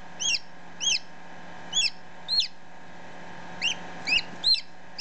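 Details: Freshly hatched chicken chick, ten minutes old, close up: thin high peeps in an irregular sequence, a pause in the middle, then a quicker cluster of peeps, over a quiet constant hum.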